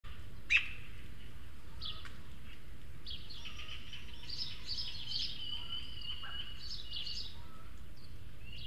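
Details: Juvenile Eurasian magpies at a garden feeder in Madrid's El Retiro, filmed by webcam; two young birds beg food from a third, more developed one. Harsh, rasping, drawn-out squeals run for several seconds over steady low background hum.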